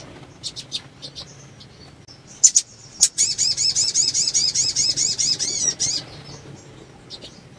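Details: A female sunbird (sogon) in breeding condition, her call meant to stimulate males to sing, gives a few thin, high chirps, then a fast, rippling trill of sharp rising and falling notes for about three seconds, faint hiss behind.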